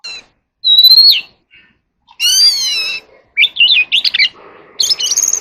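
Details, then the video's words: Oriental magpie-robin in contest singing: a clear rising whistle, a harsh drawn-out harmonic note, then quick twisting warbles and a buzzy ending over faint background hum. "chòe than hót đấu"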